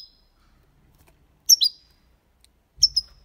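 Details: Copia Málaga style song of a European goldfinch, played to encourage young birds to sing: two paired bursts of high clear chirps ending in thin whistled trails, separated by a quiet pause.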